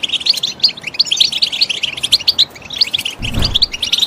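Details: Goldfinch singing for motivation: crisp, evenly spaced high chirps and twitters tumble along quickly, interrupted just after three seconds by a brief low thump.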